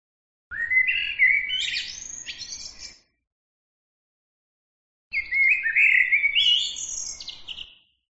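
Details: Bird song in two long, excited phrases with a pause of about two seconds between them. Each phrase is made of fast chattering trills, bright chirps and slurred warbling notes that sweep up and down, with no other sounds around.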